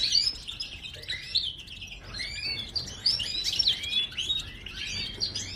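A goldfinch sings a fast, tinkling twitter of high chirps, slurred notes and brief buzzy trills that runs almost without pause. Nothing else is heard.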